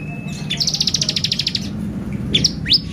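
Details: Excitement lure song of a bar-winged prinia: a thin whistle, then a long fast buzzy trill of about a dozen pulses, and two sharp rising chirps, over a low hum.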